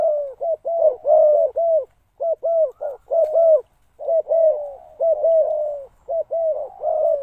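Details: Spotted dove used as a decoy to call in wild birds, giving repeated low, soft cooing phrases, hollow notes in short clusters with brief pauses, several phrases in a row.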